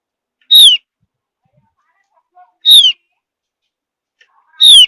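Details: Javan grey-throated white-eye, from high mountain forest, repeats a loud, falling whistled note three times about two seconds apart, with faint soft chirps between; the whistling is said to stir other birds into singing along.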